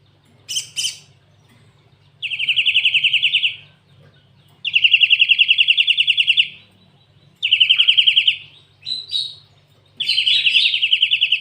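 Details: Cinereous tit singing a song filled with canary phrases: buzzy, rapid trills lasting one to two seconds, repeated in four bursts separated by short pauses, with brief sharp chirps between them.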